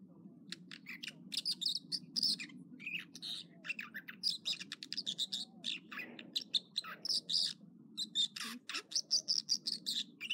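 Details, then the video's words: American dipper (water ouzel) singing in the morning at Echo Lake, Trinity Alps, California: a fast, varied run of high, sharp notes, buzzy trills and repeated phrases over the steady rush of flowing water. "Water Ouzel Song Sequence"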